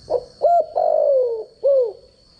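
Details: Standard spotted dove coo from a decoy bird for training: a quick note, a rising hollow coo, a drawn-out descending coo and a last arched note, with a constant faint high whine behind.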